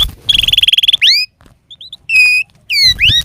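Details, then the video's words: Canary song used as a master recording to train lazy canaries to sing: rapid buzzy trill, then rising whistled sweeps and a steady clear note, with short pauses and faint low rumble. "Ampuh KENARI malas bunyi, Terapi untuk kenari biar cepat bunyi, masteran canary"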